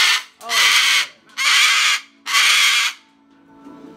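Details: A rescued male umbrella cockatoo, being put to bed, gives three loud, harsh, raspy screams, each over half a second and about a second apart, with a soft human voice in the background.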